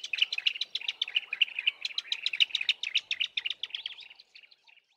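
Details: Bar-throated apalises, a duetting pair in low bushes with the male's deeper voice dominant, give a steady stream of quick, sharp high chirps that fades out toward the end.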